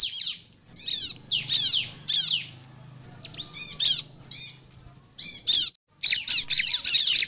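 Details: A bar-winged prinia sings steadily as a lure for other prinias. Thin high whistled notes alternate with quick descending chirp clusters, arranged in phrases with short silent pauses between them.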